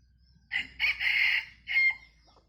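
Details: Bantam rooster crowing in a style likened to laughter: a harsh, broken crow in choppy bursts, a stuttered start, a long strained middle and a short separate final note, with little else in the background.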